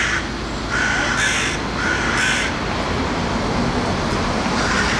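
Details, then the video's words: A hooded crow attacking passers-by in central Belgrade, Serbia, in 2021, gives harsh, rasping caws in a quick series, about four calls under a second apart, over steady low traffic rumble. "Crows Attacks People"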